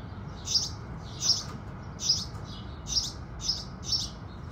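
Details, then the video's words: Morning house sparrow song at sunrise: six evenly spaced, full chirps, each a short bright burst under a second apart, with a faint low background. "Sparrows Singing"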